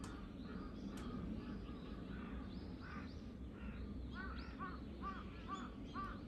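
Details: Three crows mobbing a hawk on 21 October 2023 give short, arched caws, scattered at first, then quickening into a rapid run of calls toward the end, over a steady low rumble.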